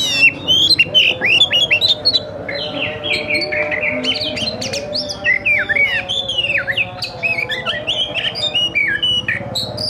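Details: Oriental magpie-robin (kacer) in fighting display, tail opened, recorded as a master for training: long continuous run of varied whistled phrases, slurred and chirped notes, about three per second, with low hum underneath.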